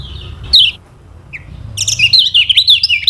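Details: Lemon-bellied white-eye of Lombok, a song lure for birds that sing little. One sharp chirp, a soft short note, then a burst of fast high twittering warble at the end.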